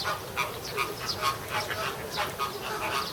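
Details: Captive American flamingos at Ueno Zoo, Japan, June 2016, seemingly arguing: scattered nasal honks with a few clear tonal notes, irregular, about one call per second over a murmuring flock.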